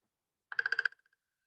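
A Downy Woodpecker drums one brief, fast burst of about six ringing taps lasting under half a second, then a few fading echoes.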